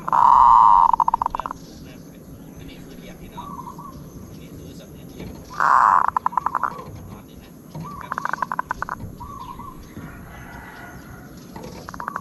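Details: Zebra dove in a fine 'aod' cooing performance: repeated phrases, each a loud sustained buzzy coo breaking into rapid staccato pulses. Softer warbled notes sound between them, and a faint steady hum runs throughout.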